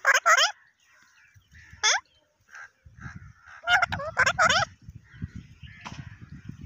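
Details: Pakistani parrot said to talk in Urdu, loud grating squawks in quick clusters with a single downward-sweeping cry between them, over low rumbling background noise.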